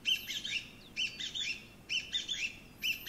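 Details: Chinese bamboo partridge, a pheasant relative, singing a loud, high, chattering phrase of quick rising notes, repeated about once a second, heard as 'chotto koi' (come here a moment); quiet background.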